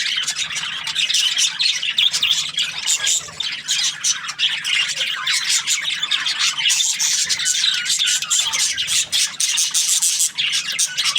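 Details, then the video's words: Happy budgerigar song-like chatter of rapid, sharp chirps and squeaky trills, growing fuller and brighter in the second half. "Happy Budgie chirping sounds"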